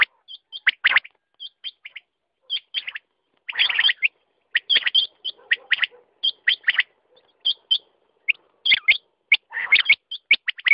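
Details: Quail giving scattered hooked chirps and busier bursts of high notes at irregular intervals, with faint low rasping between some phrases.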